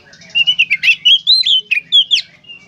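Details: Oriental magpie-robin singing in the gacor konslet style: loud, varied whistled phrases, rising and falling slurs and sharp chirps in quick succession, over a soft low buzzing hum.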